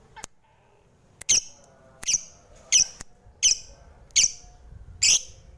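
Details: Lovebird sounding short, sharp squeaks spaced roughly a second apart, six or seven separate high bursts against quiet indoor background with faint clicks.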